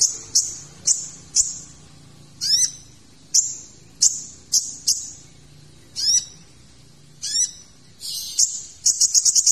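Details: Kolibri ninja (Van Hasselt's sunbird) singing in a tutor recording meant for teaching magpie-robins: piercing high chips and slurred notes at irregular intervals, ending in a fast stuttering run of sharp ticks.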